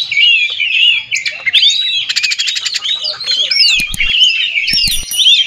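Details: Oriental magpie-robin singing to provoke others of its kind: vigorous varied whistles and warbles, a harsh buzzy rattle in the middle, and sharp clicks near the end.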